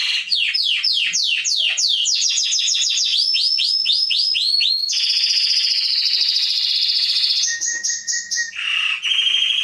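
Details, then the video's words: Young birds' training song by a canary (Serinus canaria): a long string of quick descending sweeps that speed into a trill, then a sustained rolling buzz, steady whistled notes and a low dipping phrase. "CANARY SINGING - Serinus canaria"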